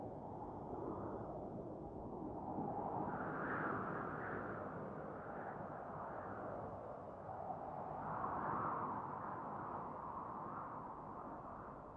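Only a steady, broad rushing noise like wind or a distant engine swelling and easing, with no animal calls heard.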